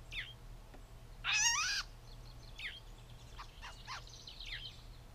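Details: Catbird giving a loud, wavering, harsh mew lasting about half a second, with stacked overtones. It is preceded by a short down-slurred note and followed by several brief, sharp, down-slurred chirps and softer notes over a quiet background hum.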